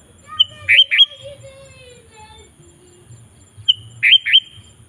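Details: Sooty-headed bulbul calling to attract wild bulbuls: two bursts, each a sharp note followed by a pair of loud rich chirps, separated by about three seconds, with faint whistles from other birds between.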